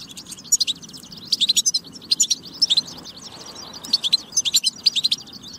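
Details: Singing European goldfinch, used to stir goldfinches into song: bursts of rapid, ringing twitters and chirps in about four clusters, separated by quieter pauses of roughly a second.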